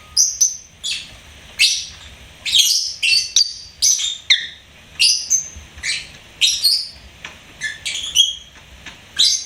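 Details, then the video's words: Chirping lovebird, a pet bird, producing rapid sharp high-pitched squeaks and twittering notes in quick succession, nearly continuous for several seconds, with a quiet background. "LOVEBIRD SINGING & CHIRPING SOUNDS"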